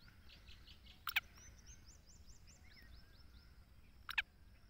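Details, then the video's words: Black francolin, known locally as kala teetar: two loud, harsh, grating bursts about three seconds apart, each a quick double note, over a steady background of thin repeated whistles from other small birds. "Kala teetar awaz// Black teetar voice//Kala teetar ki boli"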